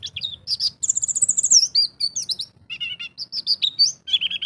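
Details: Champion contest white-eye in the Indonesian songbird hobby, singing in the 'ngalas' style with imitated 'isian' phrases: fast, high, varied twittering, with a long run of rapid sharp notes, then whistled slurs and short buzzy trills.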